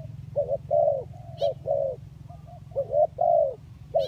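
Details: Spotted dove cooing for luring, 'kacuk' and 'kampung' types: two rhythmic phrases of mellow coos, a short note then longer throaty notes, over a continuous low hum.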